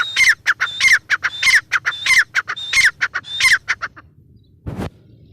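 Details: Grey francolin female giving repeated harsh, whistling call phrases in quick succession, slowing and stopping after about four seconds, followed by one brief low thump.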